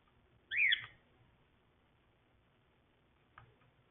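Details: Caged yellow and grey cockatiels; one short, loud screechy whistle rising then falling, followed after a long pause by a faint brief note against quiet background.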